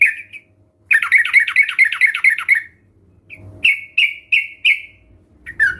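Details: Sooty-headed bulbuls recorded together as a lure for other birds to sing: a single liquid note, then a fast rolling run of bubbly notes, then separate clear notes spaced about a third of a second apart.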